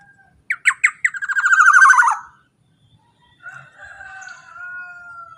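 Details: Loud Black-naped oriole phrase used to provoke other orioles: a few separate sharp notes accelerating into a rasping, rapidly pulsed run, then silence and a softer drawn-out level note.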